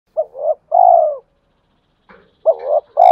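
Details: Spotted dove male cooing as a lure to provoke fighting and to call a mate: two low two-part coos, each a short bouncing note then a longer drawn-out hoot, with a faint rough note and a third coo starting at the end.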